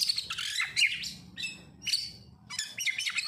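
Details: Oriental magpie-robin song played as a lure to get other magpie-robins singing: three bursts of rich, varied, high chirps, whistles and scratchy trills, separated by short pauses, with faint low background rumble.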